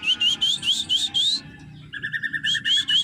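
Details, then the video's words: Krantil-type drongo singing energetically: a string of six bright, rising whistled notes at a steady pace, a short pause, then a rapid stuttering series of clipped notes before more rising whistles. "Semakin hari semakin gacor burung srigunting krantil"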